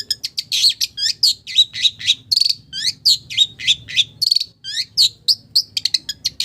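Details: Long-tailed shrike delivering a melodious song of village-bird imitations: rapid varied chirps, down-slurred whistles and short buzzy bursts packed tightly together.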